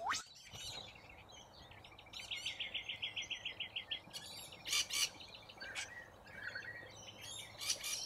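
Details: Feeding flock of corellas on root grass in Australia; a loud opening squawk, then a quick run of about a dozen evenly spaced rasping notes, followed by harsh broadband screeches and scattered chirps from the flock.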